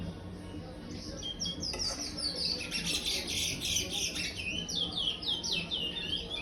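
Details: A young brown-plumaged chestnut-bellied seed finch, five months old, sings the praia style of song: a steady flow of rapid, high, sweet warbled notes, rising and falling, over a soft low hum.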